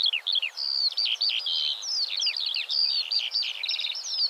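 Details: Skylark song defending its territory, a loud, non-stop warble of high whistles, quick slurred notes and a short buzzy trill near the end.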